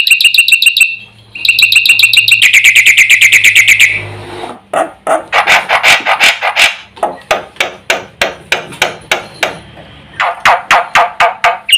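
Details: Javan pied starling in full song, said to stir up the other birds; about four seconds of rapid, high chattering trills, then loud harsh rasping notes repeated roughly three times a second.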